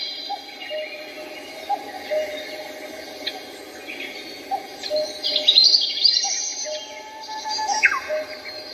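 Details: Birds singing over Seoul: scattered high chirps and short whistled phrases, louder in the middle, with a quick falling note near the end, set against a low steady hum.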